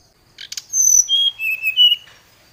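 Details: Short burst from a brown-chested jungle flycatcher challenging an opponent: a couple of rough chip notes followed by three or four clear, pure whistles stepping downward.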